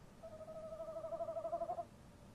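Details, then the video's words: Male tawny owl at a nest box in the early hours, 03:07 on 23 March 2015, opening a call exchange with his mate: one long, wavering, tremulous hoot held for about a second and a half, pulsing steadily at mid pitch. "Bosuilen roepen"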